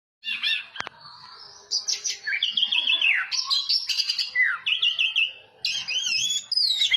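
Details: Orange-headed thrush singing in the teler style, a rich, varied song of whistled phrases between high and mid pitch. Warbling runs, rising and falling slurs and sharp chips follow each other quickly after a brief quiet start.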